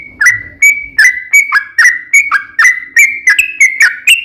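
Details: Yellow-vented bulbul used as a lure to make other bulbuls sing, repeating short whistled phrases with clicking starts and gliding tones, roughly every third of a second, over a faint low hum.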